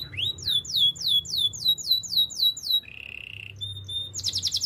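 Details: Spanish Timbrado canary song meant for training, a run of repeated descending whistled notes about four a second, then a steady low rattle, a held tone and a rapid high buzzy trill at the end.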